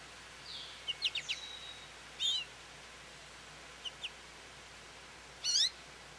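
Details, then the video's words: American goldfinch at a feeder, calling for attention: scattered high, thin chirps and short sweeping notes, a quick run of three clipped notes near the start and a louder zigzag note cluster near the end, over faint steady background hiss. "American Goldfinch Song"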